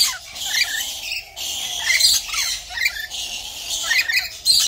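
Rainbow lorikeets chatter in harsh, screechy squawks, bursts of high grating notes overlapping one another with little pause.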